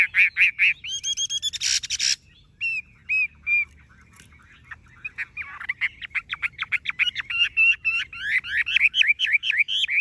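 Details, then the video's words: Tame caged Chinese hwamei with golden-yellow legs, bill and plumage, singing nonstop: loud slurred whistles open, a harsh buzzy burst follows, then a fast run of rising whistled notes about four per second. "Họa mi thuần đét chân mỏ lông lá vàng ươm - Hót như máy"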